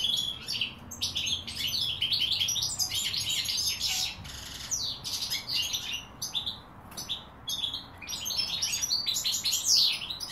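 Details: Continuous bright twittering from goldfinches, recorded in 2016, with rapid tinkling phrases, scratchy buzzes and a few brief gaps, ending in a thin rising whistle.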